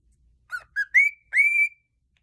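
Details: Single pet cockatiel whistling four notes: two short clipped calls, then a rising whistle and a longer sustained rising note that holds steady before stopping, in an otherwise quiet room.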